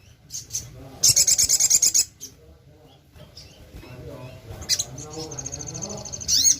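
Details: Sogon, or little spiderhunter, a gacor bird used as a lure. It gives a loud, rapid, very high stuttering trill of about a second, then a quieter stretch with murmuring voices, then further shrill trills.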